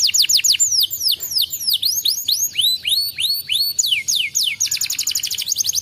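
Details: Canary song used to stimulate a canary reluctant to sing: rapid high repeated downslurred whistles, then trills of fast rising notes, a dense chattering run near the end.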